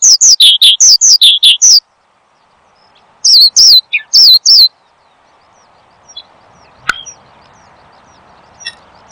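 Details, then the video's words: Horsfield's bushlark singing, offered as a training and lure sound for cage birds: a burst of fast high chirps, a pause, another short burst, then near silence with faint background noise and a single click. "Kicau Burung BRANJANGAN Gacor, Untuk Pancingan Dan Masteran"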